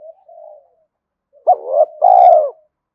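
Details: Quiet murmuring notes from a spotted dove build into one loud phrase, a wavering short coo and then a long, slightly falling coo.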